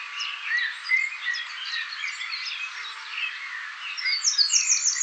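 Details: A Eurasian blue tit family gathering caterpillars and insects for nestlings at a nest box gives a busy stream of thin, high chips and twitters, ending in a bright, rapid trill.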